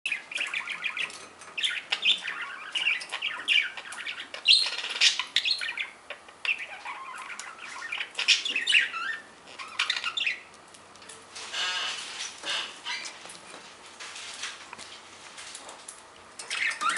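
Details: A 7-month-old male pet budgerigar chatters in quick, high chirps and squawks, with bursts of warbling.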